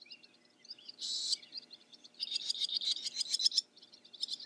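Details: Barn swallow (Hirundo rustica) singing: bursts of rapid high twittering chirps and a buzzy rattle, with short pauses between phrases.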